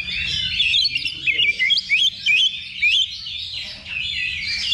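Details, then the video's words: Oriental magpie-robin song from a simulated level-2 songbird contest, played as practice before a real competition: rapid, varied whistled phrases with sharp up-and-down slurs and short pauses, other singers overlapping in the background. "Simulasi Lomba Kacer Level 2 Tuk Latihan Sebelum Tanding"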